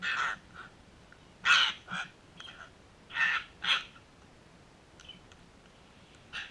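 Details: Sulphur-crested cockatoos in a backyard setting: a series of harsh, raspy squawks of varying loudness, some paired, irregularly spaced over several seconds, with softer calls in between.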